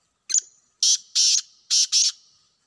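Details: Wild black francolin calling: a short click, then four harsh, grating bursts in quick succession, each about a quarter second long, with a rough buzzy quality. Silent background.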